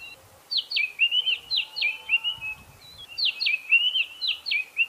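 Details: White-browed scrub robin repeating a phrase of rapid, down-slurred whistled notes running into a trill, given twice about two and a half seconds apart.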